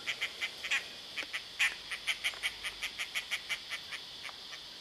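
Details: A dollarbird in Sydney, Australia, gives a rapid series of harsh, rasping chacks, about four or five a second, over a steady high insect drone.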